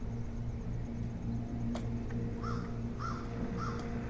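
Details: Osprey at a boat house, afternoon of 10-02-2018: three short whistled chirps that rise then fall, about half a second apart, over a steady low engine-like rumble, with one sharp click before them.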